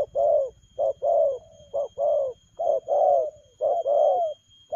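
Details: Spotted dove giving speedy 'lèo gù' cooing: paired notes, a brief clipped coo followed by a drawn-out descending one, delivered rapidly over and over with steady low background hum.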